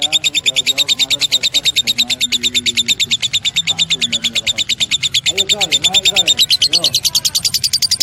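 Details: Lovebird in a loud, continuous burst of high, rapid chattering trills, about three notes a second, with buzzy repeated pulses; low murmuring sounds run faintly underneath.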